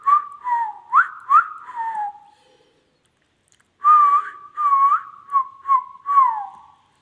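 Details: Indian ringneck parrot talking: two bursts of clear, whistled, speech-like syllables, each with slurred rising and falling notes, separated by about a second and a half of silence.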